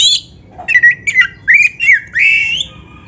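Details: Oriental magpie-robin of the black-breasted form, used to prompt caged birds to sing: a short phrase of clear whistled slurs, some wavering, ending in a long rising whistle.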